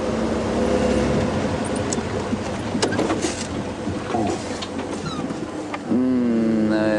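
A vehicle engine rumbles steadily with a person talking over it, and a brief mechanical whine near the end; no animal calls stand out.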